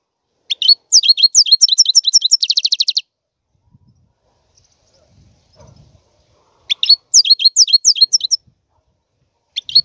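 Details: Goldfinch song in which a fast run of liquid twitters ends in a dense buzzy trill, then a pause, then another chattering twittered phrase and a single note at the end.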